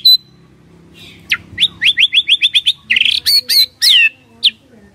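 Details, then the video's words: White-rumped shama singing as a response-triggering lure: a high thin opening note, then a fast even series of short upslurred whistles, followed by sharper, buzzier high notes and a falling whistle; faint low hum behind. "PANCINGAN SANTAI & EFEKTIF❗❗ murai DIAM langsung respon NYAUT❗❗"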